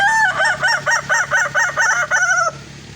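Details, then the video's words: Kukuak balenggek cock, a red rooster, crowing at dusk: roughly eight quick, bouncing syllables in a row, finished with a drawn-out falling note, with a faint background hum. "ayam kukuak balenggek"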